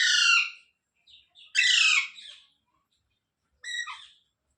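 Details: Harsh, raspy screeches from a pet rose-ringed parakeet, three calls spaced irregularly with the last one shorter and quieter, with brief soft notes between them.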